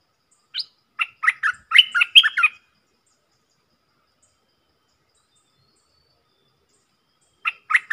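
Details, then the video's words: Decoy song of a stripe-throated bulbul in 'เปิดดอก' style: a lively, chattering phrase of rich warbled notes lasting about two seconds, a long silence, then the phrase starting again. "เสียงต่อนกดอกแตงEp.99 เปิดดอกเน้นๆ"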